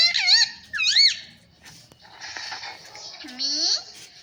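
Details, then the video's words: Talking parrot repeating devotional phrases such as sita-ram and jay shree ram; two bright, arching, whistle-like syllables, each rising then falling, open the clip, followed by softer hissy chatter and a low gliding tone. "Parrot talking sita-ram🚩parrot talking jay shree ram"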